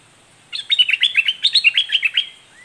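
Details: Red-whiskered bulbul, southern 'dok taeng' type, in a doubled, fierce song style: a two-second rattling string of bright, clipped whistles rising and falling in quick succession, then silence.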